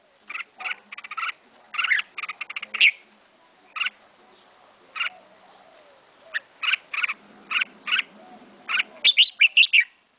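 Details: Red-whiskered bulbul, a first pet bird being kept, giving short bubbly chirped phrases separated by pauses of about a second, with a quick run of notes near the end; faint low hum underneath.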